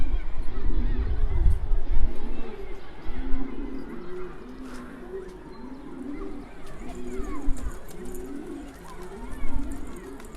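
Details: A domestic pigeon, which the owner says turned out to be a male, coos in low, rolling, repeated phrases while a man talks nearby.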